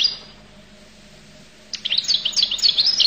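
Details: Goldfinch from Collo: a short fading note, over a second of near quiet, then a sudden lively burst of high, rapid twittering and liquid chirps.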